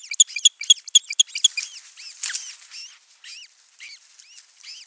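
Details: Osprey at a man-made nest in the Satakunta region of Western Finland on June 15, 2024, as the male brings food for the chick; a rapid run of sharp whistled notes, about four per second, easing into softer arched whistles.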